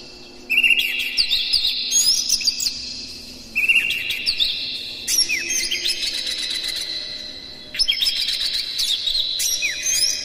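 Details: Lively caged Oriental magpie-robin song used to provoke and excite other magpie-robins. Loud bursts of clear whistles and rapid chirped phrases arrive about every three to four seconds, rich with mimicked fillers.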